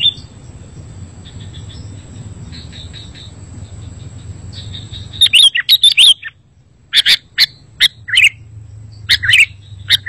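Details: Sooty-headed bulbul song used to draw other bulbuls into answering: soft twittering first, then loud, separate chirped notes and short bubbly phrases spaced about a second apart.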